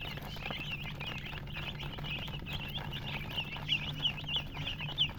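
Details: Baby chickens chirping, clear high peeps that slur downward, several birds overlapping, with a few louder, sharper peeps standing out near the end over a faint hum.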